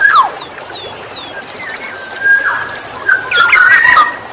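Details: Black-naped oriole, recorded outdoors as a lure sound for attracting other orioles: clear fluty whistles near one pitch, some slurred downward, with brief harsh notes and thin high sweeping chirps from other birds.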